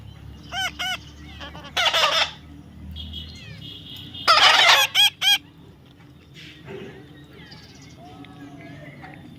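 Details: Baby parrot in the middle of taming: quick repeated rising whistle notes, several loud rasping squawks in short clusters, and softer chatter and faint whistles between them.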